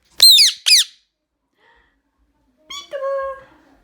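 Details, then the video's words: A pet Indian ringneck parakeet gives two loud, shrill, downslurred screeches, then after a pause a harsher, drawn-out squawk with a steadier tone. "Loud Indian Ringneck parrot screaming and whistling."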